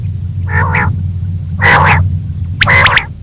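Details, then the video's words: Female common quail calling, for morning quail hunting: three husky, double-noted calls about a second apart, each a quick rasping pair, over a steady low hum. "Female Batair Ki Awaz| Common Quail Calling Batair Ki Awaz"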